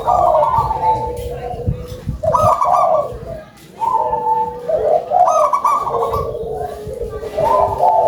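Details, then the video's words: Active local zebra dove with a big voice, repeating trilled, stuttering coo phrases back to back, several phrases overlapping as if from more than one bird. "GACOR!!! PERKUTUT LOKAL SUARA BESAR"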